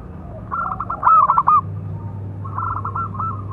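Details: Local zebra dove giving a calling song meant to provoke and train other doves: a rattling series of quick coo notes building to a loud peak, then a softer echoing phrase, with a steady low drone.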